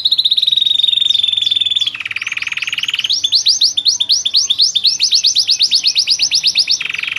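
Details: Loper-type canary with a charming cengkok song: a sustained high trill drops into a lower buzzy roll, followed by long runs of rapidly repeated upswept chirps.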